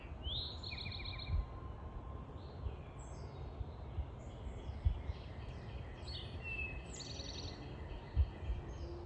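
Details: A Tufted Titmouse gives a high, quick series of thin chips and short whistled notes, some overlapping, over a steady low rumble of wind or distant traffic.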